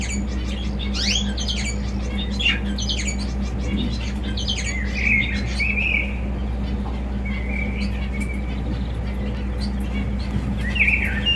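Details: Java sparrow song: a burst of short clicking notes and bright chirps early on, then drawn-out, slightly wavering whistled notes, heard over a steady low hum.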